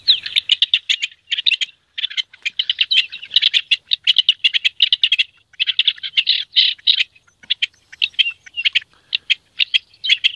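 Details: A rock partridge in courtship sings in hunting area C.A.CN5: a harsh, grating song of rapid, rhythmic chattering notes in bursts, pausing briefly between phrases.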